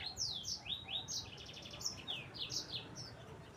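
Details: Sanger, the Yellow-fronted Canary, heard more faintly: spaced high down-slurred whistles and short buzzy notes repeated through the passage over noticeable background hiss and low rumble.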